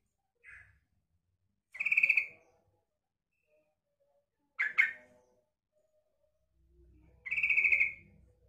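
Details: Calls of a female sooty-headed bulbul used to draw in males, given as a few bubbly, slightly descending phrases spaced irregularly, one short sharp note among them, in a quiet setting.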